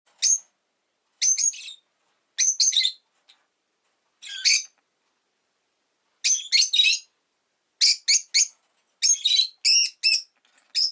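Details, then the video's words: A pet rosy-faced lovebird (Agapornis roseicollis) gives sharp, shrill chirps in quick bursts of two to four, with short pauses between them. "Lovebird Chirping Sounds"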